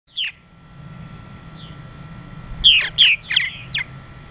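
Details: Purple martins coming in for the night in the evening, giving a few scattered, bright, gurgling chirps over a steady low rumble of background noise.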